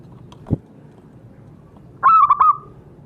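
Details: Zebra dove lure sound for getting captive birds to call: after a soft tap, one loud, quick run of three or four rolling cooing notes ends in a trailing tone.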